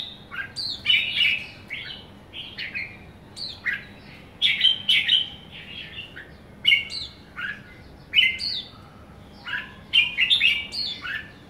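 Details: Young somersault red-whiskered bulbul sings lively, warbled phrases of short descending slurred notes. Bursts of three to six notes recur about every one to two seconds over a quiet background.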